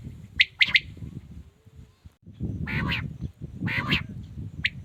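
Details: Male quail calling in a village: sharp, high clipped notes in a quick burst, then two longer raspy, buzzy calls, over a low rumbling background.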